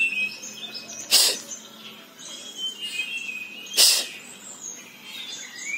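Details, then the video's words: A local tledekan gives a long rolling song of high, thin whistled and trilled phrases, broken twice by sharp noisy bursts; used as a lure to get birds that have stopped singing to sing again. "TLEDEKAN LOKAL # Ngeroll Panjang"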